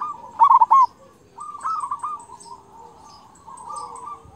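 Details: Persistent local zebra dove with a big 'kung' voice, played to train and excite other doves: one loud clipped run of quick coos opens, then quieter rippling coo phrases follow, with faint high chirping in the background.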